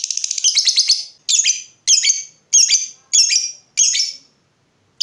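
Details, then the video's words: Lovebird, in a recording meant to stimulate other lovebirds to sing: a short fast chatter, then a string of separate sharp, high squeaky calls, each with a fading tail, about every second. "Berkat Pancingan SUARA BURUNG LOVEBIRD INI, Labetmu dijamin GACOR tak lagi Malas DIAM MEMBISU"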